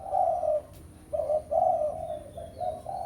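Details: Rival-calling coos of a spotted dove in 'pesom' lure style: a long mellow coo, a pause, then a stretched coo trailing into shorter ones, with a faint thin whistle high above.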